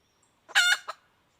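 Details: Female red junglefowl calling: one harsh, harmonic-rich squawk lasting about a quarter second, then a shorter clipped second note, with quiet before and after.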